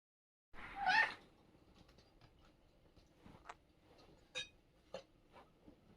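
A rose-ringed parakeet gives one loud, harsh, slightly wavering squawk of about half a second, then soft clicks and taps in a quiet indoor room.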